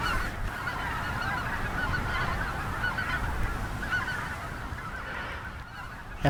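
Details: Large flock of Greater White-fronted Geese, about 97% white-fronts with some snow geese mixed in, at North Ottawa Impoundment, Grant County, Minnesota, in April spring snow: a continuous chorus of overlapping high honking calls under strong wind rumble.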